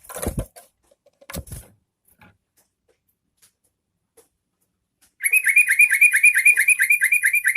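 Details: Yellow-vented bulbul lure song meant to provoke other bulbuls into singing: after about five seconds of scattered clicks and knocks, a fast run of short, bright, repeated chirping notes begins and continues steadily to the end.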